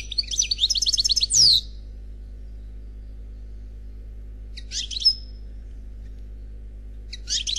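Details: European goldfinch in Khalwi style, unpaired: a dense, high, tinkling trill closing with a loud downward slide, then after silence a short chirp and another twittering fragment.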